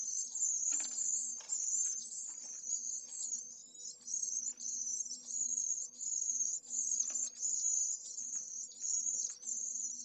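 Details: Pallid swift nest holding a single chick in central Jerez de la Frontera, Spain, at solar midday on 25 August during a heatwave above 44°C. A high, buzzy trilled calling runs almost continuously in bursts about two seconds long, with faint low hum beneath.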